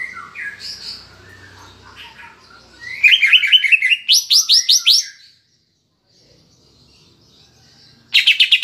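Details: Lure song of the greater green leafbird, mixed with kapas tembak filler, used to make pet birds sing and become excited: soft varied warbling, then loud rapid rattling bursts and rising sweeps, a silence, and another trill.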